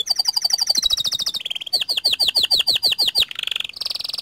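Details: Panda canary in full, steady song with rolling (ngerol) and long bursts (nembak panjang): a rapid high trill, then a run of repeated downslurred whistles, a dense buzzy roll, and a final bright sustained note.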